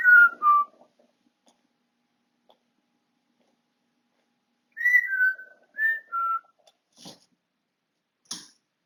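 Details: Pet African grey parrot whistles indoors, a pair of short descending notes, silence, then a stepped series of four whistles alternating higher and lower, with a couple of faint clicks after.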